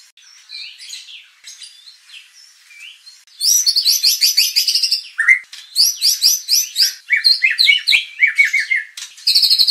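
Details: White-rumped shama singing to provoke contest birds into emotional full-repertoire song: soft scattered notes at first, then loud, rich, rapid bursts of varied high chirps, trills and whistles with brief pauses between phrases.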